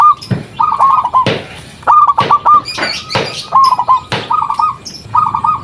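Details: Zebra dove, local type, calling to lure other doves into replying: repeated short trills of bubbly cooing notes, five or six phrases in a row, broken by sharp clicks and thumps.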